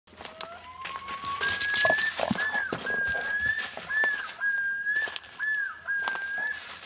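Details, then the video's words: Loon calling at dusk: a rising wail opens, then a run of repeated high phrases, each ending in a quick downward slur, over scattered clicks and crackles. "LOON CALL AT DUSK"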